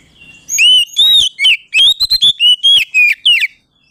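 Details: Oriental magpie-robin singing in a full, loud style used to provoke rival birds into a fighting mood; a rapid series of clear, slurred whistled notes, arched and rising-falling, delivered in quick bursts over about three seconds.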